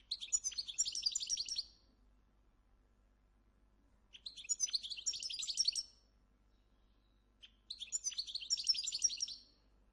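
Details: Goldfinch from Morocco kept on a breeding farm, singing three high, fast twittering phrases of about a second and a half each, spaced roughly four seconds apart with silence between; the local goldfinch is rare and valued for its loud song.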